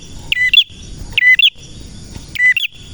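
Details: Three quick repeated phrases from a male prenjak, each a bright high chirp followed by a short lower note and a flicked rising tweet, with soft low rumble between.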